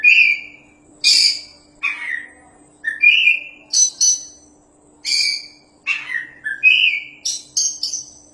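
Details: Oriental magpie-robin, a champion bird in vigorous song, recorded as a tutor for other birds: clear sliding whistles alternating with harsh high bursts, phrases about once a second, growing denser toward the end; faint hum.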